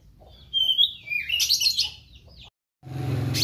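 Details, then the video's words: Meranti bird singing actively: a high whistle sliding downward into a noisy, buzzy flourish, a short break, then more noise with a low hum. "Burung Meranti Gacor"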